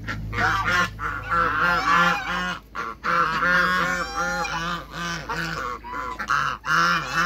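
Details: Several African geese honking together during a meeting with other waterbirds on a farm; loud, continuous run of harsh, harmonic honks with barely a pause between calls.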